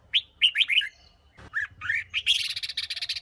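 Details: Female red-whiskered bulbul from Huế singing to stimulate wild-caught males: a few bright whistled chirps, then slurred rising notes and a fast, buzzy trill to finish.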